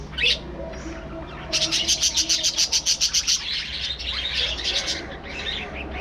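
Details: Breeding colony of budgerigars, an aviary flock: a steady train of rapid chattering clicks about four per second, followed by mixed warbling chirps from several birds.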